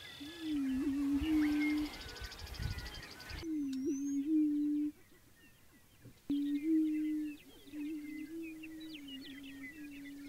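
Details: Prairie chickens on their leks in central South Dakota's Fort Pierre National Grasslands, performing the annual spring booming at dawn. Low, resonant, droning hoots recur roughly every two to three seconds. Busy high chirps and cackles fill the background.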